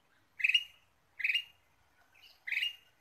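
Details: Lure recording of a ruby-throated bulbul calling vigorously, three rough, buzzy chirps spaced about a second apart against a quiet background.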